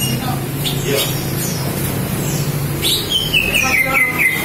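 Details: Green leafbird female, used as a lure to get males to sing, giving scattered sharp chirps, then a clear whistle sliding down over about a second, over a steady low rumble and murmur.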